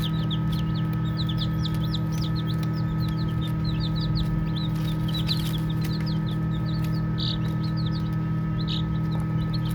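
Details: Baby chicks chirping and playing: many soft, high peeps overlapping in quick, irregular bursts throughout, over a steady low hum and faint tonal background noise.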